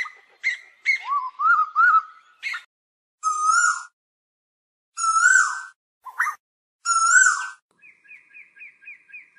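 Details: Asian koel giving flock calls: abrupt chips and rising notes at first, then three long slurred, overtone-rich calls spaced about two seconds apart, ending in a faint quick trill.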